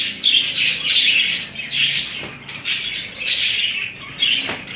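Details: Budgerigar pair in a mating display: busy, chattering warble of fast, high, buzzy chirps and squeaks in bursts about a second long, separated by short quieter gaps.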